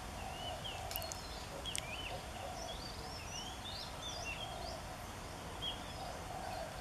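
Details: An Oriental Magpie-Robin (Copsychus saularis) sings a love song at a nature study centre in Maha Sarakham province, Thailand, on 8 February 2014, a steady run of short, varied whistled phrases rising and falling over a constant low rumble.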